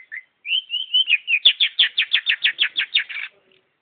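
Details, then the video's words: Long-tailed shrike song: a few clear whistled notes lead into a fast, even burst of about a dozen sharp, repeated notes, then a pause. "Burung pentet Super nggacor"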